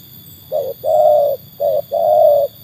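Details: Trained Spotted Dove tested against wild doves: two phrases, each a short coo followed by a long sustained mellow note, over a faint low hum.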